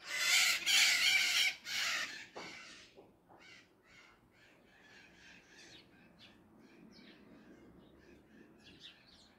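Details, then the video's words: Maritaca parrots calling: a burst of loud, harsh, broadband screeches over the first two seconds, then a long series of fainter, rapid, scratchy chattering notes continuing to the end. "novamente com elas as aves maritacas"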